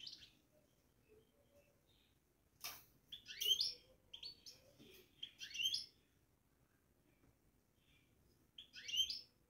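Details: Caged European goldfinch giving batbata babbling: short bursts of high, tinkling twitters separated by long quiet gaps, with a sharp click just before the first burst.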